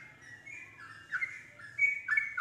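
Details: Softer whistled phrases from a yellow-vented bulbul being provoked to answer and sing along. A few drawn-out falling whistles rise in loudness toward the end over a low background hum.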